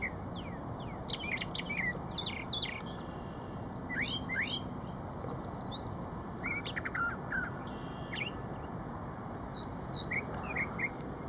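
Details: At Shred-It Pond a brown thrasher sings rapid clusters of high chirps and whistled slurs, phrases separated by short pauses and several repeated in pairs, over a soft low background hum.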